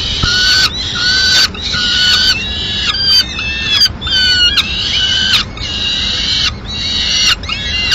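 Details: Mid-morning at a Madrid peregrine falcon nest, the female flying in with a piece of pigeon; insistent nasal wails in bursts of varying length, some sliding downward, with short silences between.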